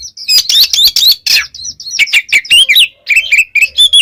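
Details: Oriental magpie-robin in vigorous song for training pet birds, pouring out dense, scratchy high chatter followed by clearer whistled slurs and chirps in rapid succession.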